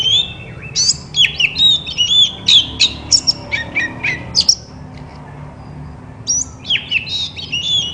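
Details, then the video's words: White-rumped shama song used to get other shamas singing: dense rapid whistles and chattering notes for four seconds, a short gap, then a fresh burst of high phrases. "Burung kacer terapi dari tidak bunyi langsung saut dengan suara ini"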